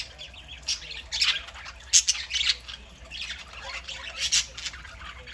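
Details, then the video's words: Several parakeets kept as pets chatter on a Saturday morning, a steady stream of raspy warbles and high chirps punctuated by a few louder squawks. "Parakeets Saturday morning"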